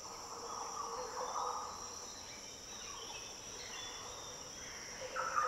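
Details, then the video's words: Green oriole song from the Daintree rainforest, Australia: a rich, deep, fluty phrase at the start, then quieter notes and a brief final call, all over a steady high insect chorus. "Green Oriole Sounds - The deep, liquid calls & song of Green Orioles in the Daintree rainforest."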